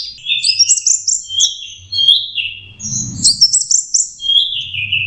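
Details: Practising its song, a young orange-headed thrush gives loose, high whistled phrases that rise and fall in smooth glides, with a short rumbling noise behind them midway.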